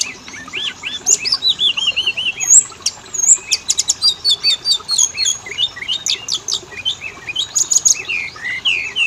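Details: Oriental magpie-robin (kacer) song played as a lure to make males and females sing: a dense, varied run of high whistled slurs, rising and falling notes and sharp clicking bursts, nearly continuous throughout.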